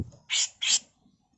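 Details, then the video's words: Two loud, grating rasps, each about a fifth of a second long, from a female grey-cheeked bulbul used as a tutor recording in the rough 'mbeset kasar' style. "Masteran Burung CUCAK JENGGOT FULL MBESET KASAR || Cucak jenggot betina"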